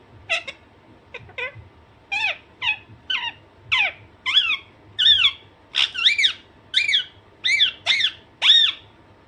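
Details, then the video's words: Pet Alexandrine parakeet described as naughty, giving its natural calls: a run of about fifteen harsh, rising-then-falling screeches in quick succession, growing louder and more regular toward the end, with a steady low hum behind. "Alexanderine naughty parrot/parrot natural sound"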